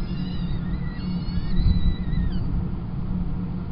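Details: At Kingston College on 28 April 2021 the female peregrine falcon takes over feeding the chicks from the tiercel. A single run of overlapping thin whistled cries slides downward and ends midway, over a deep, constant rumble.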